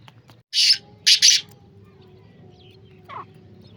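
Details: Sindhi black francolin (kala teetar) calling: a short harsh rasp followed by a doubled grating burst, then quiet with a faint distant note near the end over a low background hum.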